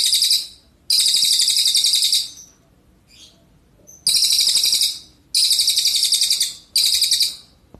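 A red siskin sings loud, rapid, high twittering phrases, each burst lasting one to one and a half seconds, with brief pauses between them.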